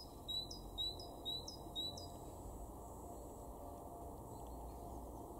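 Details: Garden great tit recorded in March 2023 at Weener, East Frisia, northwest Germany, giving four high whistled two-part notes with a rising tip at half-second intervals, then quiet for the remaining seconds.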